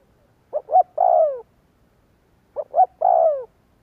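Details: Spotted dove lure call to stir doves into cooing: two quick clipped notes followed by a drawn-out descending coo, the phrase given twice two seconds apart against silence.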